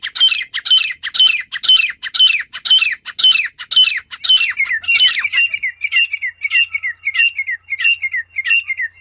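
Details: Wild female partridge in natural call: about ten loud, coarse, squawking notes at a steady two-per-second pace, then a softer string of short, clipped, whistled notes continuing the same rhythm.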